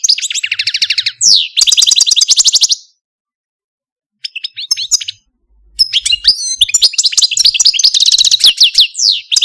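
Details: Caged male Algerian Parva goldfinch, a pet, singing rapid high twittering trills and buzzy rattles, then a pause, then a dense burst of sweet chirps and slurred whistles.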